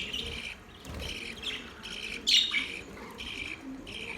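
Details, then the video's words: Budgie chirping song of quick, repeated squeaky chirps in short bursts about every half second, one sharper, louder squeak near the middle, over a faint steady background hiss. "Budgies sounds | Budgies singing | Budgies chirping sounds"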